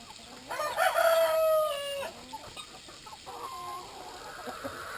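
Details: At drinking time a Brahma rooster crows loudly, a held harmonic call of about a second, while the other Brahma chickens keep clucking softly behind it.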